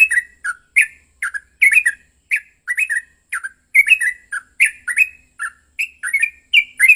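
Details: Aggressive fighting song of a Yellow-vented bulbul used to stir rival bulbuls into singing: dense, restless chattering of bubbly, slurred whistles, some notes doubled or overlapping, scarcely pausing.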